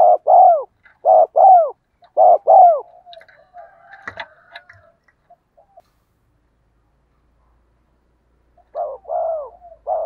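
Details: Decoy spotted dove with a 'giọng đồng' voice, used to prompt wild doves to answer: three strong doubled coos with falling endings, then a stretch of scattered clicks and knocks before quieter paired coos return.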